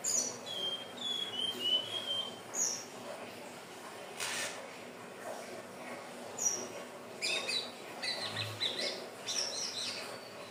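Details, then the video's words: Song of the Hill blue flycatcher, played to lure birds: thin, high whistles and short warbled phrases, spaced irregularly, mixed with several sharp clicks and knocks. "SUARA BURUNG TLEDEKAN BIRU/SIKATAN NINON/SELENDANG BIRU"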